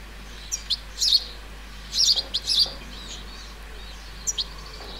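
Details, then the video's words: Juvenile European goldfinch in a countryside flower bed in central France, 30 July 2019, giving high, tinkling twitters: single thin tweets, then two fuller liquid bursts, over faint hiss. "CHARDONNERET Élégant/Juvénile/Carduelis carduelis ! BRUITX"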